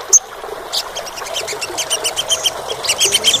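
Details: An Olive-backed Sunbird (Cinnyris jugularis) in Indonesia, recorded as a lure to get inactive captive sunbirds singing, sings a rapid, high, thin series of sharp chips and short trills with almost no pause, over faint background hiss.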